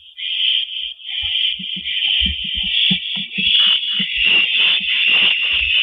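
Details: Evening nest scene from April 2012, with a rabbit delivered by the male owl to the female; an unbroken, harsh, hissing screech runs the whole time over soft taps and shuffling sounds.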